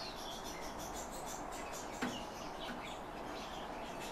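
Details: Captive calandra lark song, a quick run of bright high chirps early on, then sparser clipped notes, with a single soft knock midway and constant background hiss.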